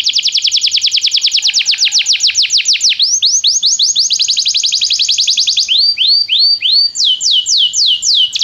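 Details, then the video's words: Belgian canary trained to sing: a long rolling trill of quick downslurred notes that shifts into a denser buzzy roll, then breaks into slower, separate swooping whistles. "Estimulação para que o seu canário cante com diligência - o melhor treino para canário belga"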